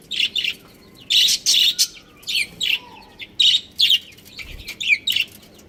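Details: Pet budgerigar breeding pair chattering: short, sharp high chirps in separate bursts, roughly a dozen over several seconds, some doubled, against a quiet background.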